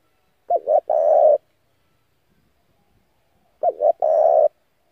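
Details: Spotted dove decoy call used to lure other doves and train their voices: two coo phrases, each a short double note then a longer rough coo, about three seconds apart, in an otherwise silent background.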